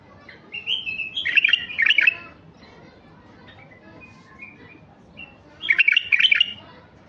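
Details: A male White-eared bulbul gives two bursts of rich, bubbling whistled phrases, each about a second long, with soft chirps between and a low background hum.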